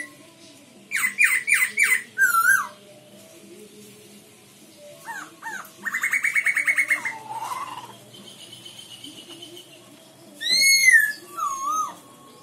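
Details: Black-throated laughingthrush from Myanmar giving loud, varied phrases: a fast run of four ringing notes, a rapid chattering trill, then slurred whistles, with quiet background hum.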